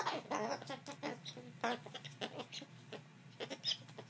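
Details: Indoors, a male umbrella cockatoo kept as a pet tells off its owner after a shoe fight. It gives harsh, grating squawks and chattering bursts in an uneven series, with occasional voices in the room.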